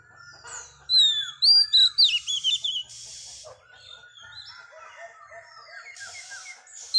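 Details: Wild-caught magpie-robin hen singing to excite males. Loud, fast, high, sweet whistled phrases with slurred upward and downward notes come first, followed by softer warbled whistles and brief buzzy bursts.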